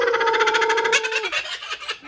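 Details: A captive male laughing kookaburra at a zoo and rescue center gives a rapid, pulsing, chuckling laugh on a steady mid pitch, then breaks off with a falling note.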